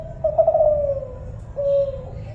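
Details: Spotted dove of the Kelantan kind: one drawn-out, trembling coo that slowly falls in pitch, followed after a pause by a short, steady, clear coo.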